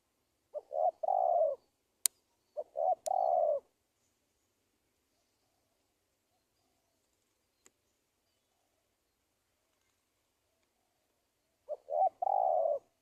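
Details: Spotted dove lure sound used to draw in wild doves for trapping: three separated cooing phrases, each two short low hoots then a long drawn coo, with long silences between and a couple of sharp clicks.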